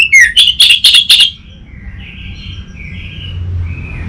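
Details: Orange-headed thrush song used as a lure and master recording: a burst of five sharp, loud chirped notes, then quiet drawn-out warbled phrases fading away.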